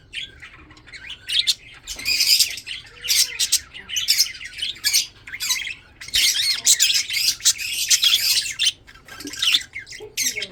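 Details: Chattering budgerigars in a breeding setup, some feeding, keep up long stretches of scratchy, warbled chirping broken by short gaps.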